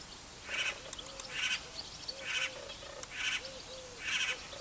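Great spotted cuckoo giving harsh, rasping chatter bursts about once a second, with soft lower whistled notes underneath.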